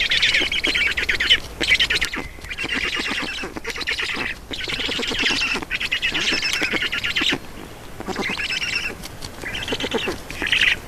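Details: Feeding time at a black stork nest in Estonia, 4 June 2019, 18:07: bouts of shrill, rasping, pulsed squeals about a second long, repeated with short pauses, softening toward the end.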